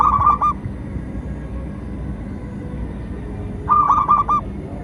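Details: Local perkutut, the zebra dove, singing as a training and luring call; two rolling bursts of rapid soft coos, one at the start and one near the end, separated by quiet with low steady hum.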